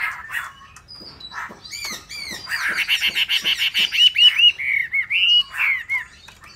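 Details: A Hwamei song opening with scattered notes, then a fast rattling trill that breaks into clear, looping whistled notes rising and falling, repeated at a quick, uneven pace.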